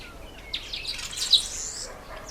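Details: Breeding-season red bishop, males black and red in October and November: a short burst of excited, squeaky twittering and buzzy notes lasting about a second, peaking sharply midway, then fading.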